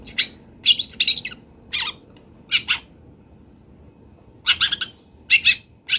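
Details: Long-tailed shrike, local to Kendal, in a master recording for training birds: bursts of harsh rasping squawks separated by short silences, some in rapid clusters.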